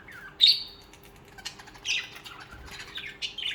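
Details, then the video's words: Budgerigars give a few scratchy, buzzy chirps and one drawn-out slurred whistle, separated by short pauses. "Most Beautiful Bugies Song | Bugies Singing and Chirping"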